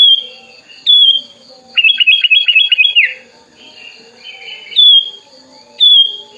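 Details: Tame, hand-raised sooty-headed bulbul, wings spread, calling a rival: clear descending whistles near the start and end, a quick run of five stepped chirps in the middle, then a short buzzy phrase; faint steady hum beneath.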